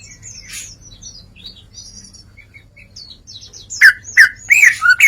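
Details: Greater green leafbird in 'ngeplong' song: faint high twittering phrases, then a strong closing series of loud, ringing slurred whistles about every half second, over a steady low hum.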